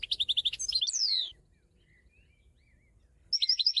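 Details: European goldfinch song: rapid, high, repeated chirps sliding into a descending buzzy slur, a pause with low hum, then a fresh burst of quick bright notes.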